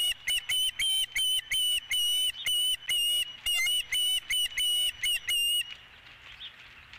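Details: Osprey at its nest on a ranch, 12 April 2017, around a fish delivery in the early evening: a rapid run of loud, high whistled chirps, about two per second, each slightly buzzy and steady in pitch, stopping abruptly near the end.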